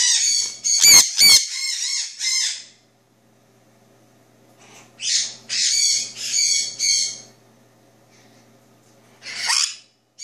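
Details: A two-year-old male Jenday conure, recorded around 3:30 AM after drinking, gives harsh, raspy squawks in short bursts, a loud cluster at the start, then several more spaced a second or two apart.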